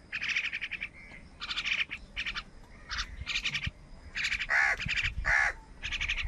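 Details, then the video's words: Crows fighting with wild birds for food on a rainy morning, giving loud harsh calls in bursts of rapid, rasping notes, with a few louder, lower caws near the end; rain and faint background noise beneath. "Crow Fight with Wild Birds for Food in a Rainy Morning | কাকের ডাক Crow Sound Loudly"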